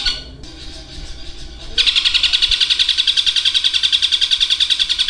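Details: Caged long-tailed shrike, Indonesia, mimicking a lovebird's long trill, fighting sparrows and a kingfisher: after a soft murmur, a loud rapid pulsed chatter begins and continues steadily for over three seconds.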